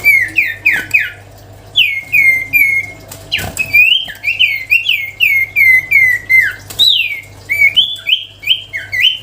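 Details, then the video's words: A lively, melodious sirtu cipow song: steady chains of sweet whistled notes, each sliding downward, delivered several per second in bursts with short breaks, over a faint low hum. "siulan merdu burung sirtu cipow gacor"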